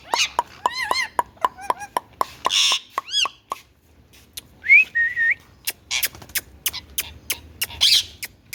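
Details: Pet Indian ringneck parakeet mimicking speech: short arched, harmonic, whistle-like syllables in quick bursts, separated by sharp clicks, with a brief rising squeaky note midway and scattered tapping sounds.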